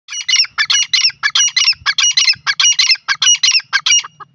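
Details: Grey francolin, locally called pela or silver teetar, giving its loud call: harsh, shrill squawking notes in quick pairs and triplets, repeated in a steady run of bursts with brief gaps for over four seconds.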